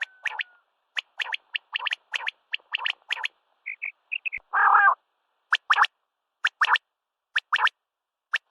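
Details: A common quail (Coturnix coturnix) calls at sunrise with sharp, liquid notes in quick groups of two or three, repeated about once a second; a brief harsh rasp and soft whistles break in midway.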